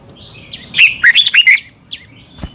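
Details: Red-whiskered bulbul in Thailand on a caged-bird training recording; a short run of quick, sliding whistled notes lasting under a second, with a soft chirp afterward and a faint click at the end.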